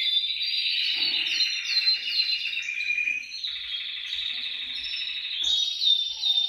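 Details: Canary song played to get canaries singing: dense rolling trills with quick descending slurred notes, then a steady lower trill and a bright high rattle at the end.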